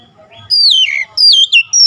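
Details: Oriental magpie-robin song meant to rouse a magpie-robin's emotion: three loud clear whistled phrases, each sliding down from high to mid pitch, after a short quiet start.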